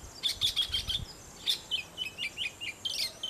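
Oriental magpie-robin singing a quick series of sweet, varied whistled notes, high and clear, in two bursts, with light background hiss.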